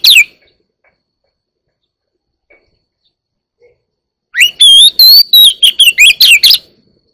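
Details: Oriental magpie-robin aged one year: a brief note at the start, a pause of four seconds, then a lively phrase of whistled rising notes and rapid sweeping chirps.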